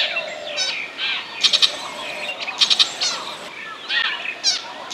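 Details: Burmese shrike decoy (lure) call: harsh, scratchy chatters mixed with sharp ticking bursts, repeated roughly every second, high-pitched and busy throughout.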